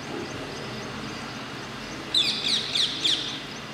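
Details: Indian ringneck parakeets calling at Masab Tank in Hyderabad; after a stretch of low background rumble, four sharp, shrill screeches follow in quick succession, each clipped and grating.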